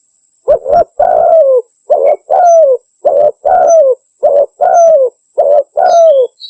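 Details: Spotted dove (tekukur) calling clear and loud, used for luring and as a tutor recording: deep mellow cooing phrases, a short double coo followed by a longer slurred coo, repeated about four times.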